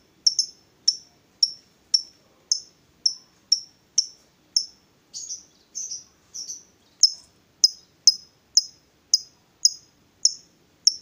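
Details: A female fighter lovebird that provokes rival lovebirds repeats piercing high chirps at a steady pace of about two per second for eleven seconds. A few notes in the middle come out softer and more smeared.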